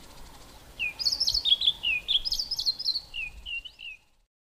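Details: White-browed scrub robin, concealed inside a bush, sings one long, highly repetitive phrase of bright, looping high notes repeated several times a second for about three seconds, then falls silent.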